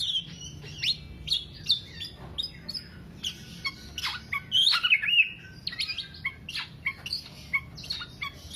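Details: Black-naped oriole in a rapid 'teler' song used as a lure or master recording for songbird keepers: dense, jittery chirps and slurred high notes tumbling almost nonstop, a few longer whistled slides mixed in.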